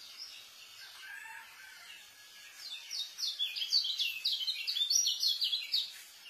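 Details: Tutor song of a white-eye, fast and dense: soft scattered notes at first, then a quick run of bright, high, slurred chirps, roughly three per second, for the last three seconds.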